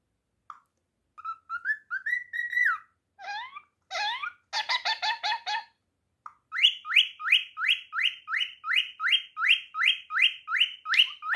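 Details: A male cockatiel, apparently whistling to impress an Indian ringneck parrot beside it, whistles a varied tune of rising notes, then a fast run of repeated chirps.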